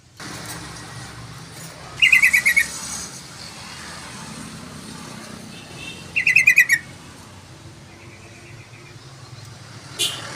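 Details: Actively singing sooty-headed bulbul gives two short, fast bubbly phrases about four seconds apart, each a quick run of bright descending chirps, over constant traffic-like rumble and background noise.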